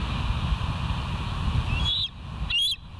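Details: Bald eagle filmed by the West End live cam on 29 September 2023 at 07:05; two high whistled calls near the end, a rising slide followed by a shorter piping note, over low continuous background noise.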